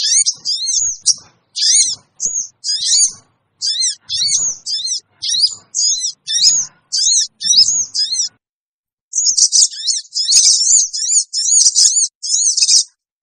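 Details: Shrill lure calls of a sooty-headed bulbul for attracting wild birds: a long run of short, high zigzag chirp bursts, a one-second pause, then a denser, louder flurry of chirps.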